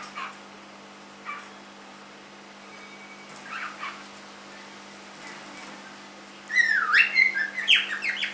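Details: Three-month-old cockatiel kept as a pet: a few faint chirps early on, then a loud twisting whistled warble with swooping up-and-down notes bursts out during the final two seconds.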